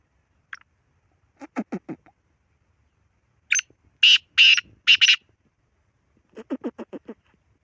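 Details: Black francolin calling: a loud run of four or five harsh, grating, buzzy bursts, preceded and followed by quicker series of lower, softer pulsed notes.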